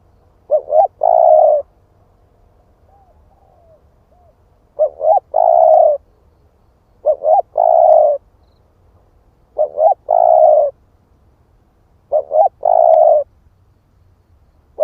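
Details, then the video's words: Split-breast spotted dove cooing as a lure to provoke wild doves. It repeats five phrases, about every two to three seconds, each two quick notes and a long coo, with faint short whistles after the first. "Chim cu gáy ức chẻ thúc kích mồi | Tiếng chim cu gáy kích bổi"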